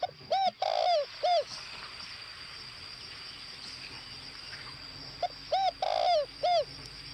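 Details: Spotted dove used as a decoy, from Northwest Vietnam, repeats its cooing phrase twice about five seconds apart. Each phrase has a short note, rounded coos and a drawn-out rolling coo, with a steady high hiss throughout.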